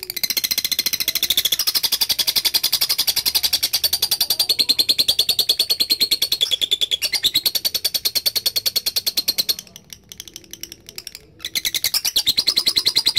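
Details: Lovebird giving a long 'ngekek panjang' chattering song, used as a training recording: a fast, steady rattle of shrill, clipped notes that pours on for seconds, breaks off briefly near the end, then resumes just as fast.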